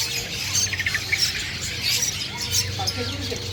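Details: Black-headed long-tailed shrike caught by trapping, singing lively in season: harsh squawks and quick high chirps in uneven bursts, over a low steady hum and faint voices.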